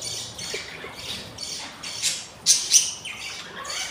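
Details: Hungry budgerigar chicks on their fourth day after hatching, three in the brood: rapid, hoarse, hissing begging rasps, about four a second, swelling in loudness midway.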